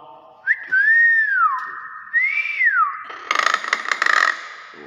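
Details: Tame Nias hill myna whistling two arched notes, each rising then dropping. A burst of rough clattering noise follows, possibly handling or clapping.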